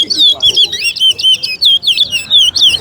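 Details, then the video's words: Chestnut-bellied seed finch (towa towa) competing in a bird race at Alligator Park. It gives fast, bright, twisting whistled phrases strung tightly together, and a spectator calls out numbers as the songs are tallied. "TOWA TOWA BIRD RACE"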